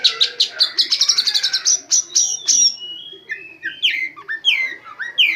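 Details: Oriental magpie-robin training song full of imitated white-rumped shama phrases: a fast run of sharp repeated high chips, then varied whistled notes sliding down, loud and clear.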